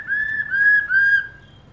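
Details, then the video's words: Female black-throated laughingthrush calling continuously to stimulate males: three slurred, clear whistled notes at mid pitch, each gently rising then falling, run close together and fading out, with a faint low background hum. "KHƯỚU MÁI RÒ LIÊN TỤC KÍCH TRỐNG CỰC NHẠY"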